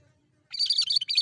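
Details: Cucak kerinci bulbul, energetic song for luring birds: a brisk run of rising and falling high chirps in quick succession, about three-quarters of a second long, clear against a quiet background.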